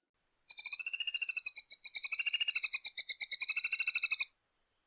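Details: Tanager from Latin America singing a high, fast pulsed trill in three rapid bursts of evenly spaced bright notes over about four seconds, with a brief gap before each new burst and a clean, quiet background.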